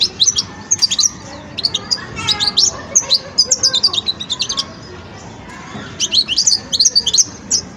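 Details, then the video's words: European goldfinch young bird in song-learning stage, pouring out rapid, high, liquid twittering phrases with trills and chirps, a short lull midway, then another energetic burst; faint low hum in background. "جان مقنين ويداني في مرحلة فرز التغريد"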